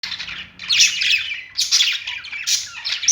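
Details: Pet budgerigars singing on a perch: bursts of scratchy, buzzy chirping warble roughly every second, with short pauses between phrases.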